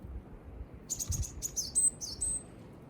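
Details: Wild small birds in Nasu, Japan, on the morning of 19 December 2020, giving a quick series of very high, thin chirps and short whistled notes over about one and a half seconds against a low rumbling background.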